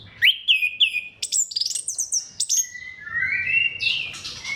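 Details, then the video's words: Song of an orange-headed thrush, meant to spur other thrushes into singing: quick sharp upslurred notes, a run of high twittering, then drawn-out warbling whistles over a faint low background hum. "KICAUAN SEBENING KRISTAL ANIS KEMBANG GACOR PANCINGAN MANJUR"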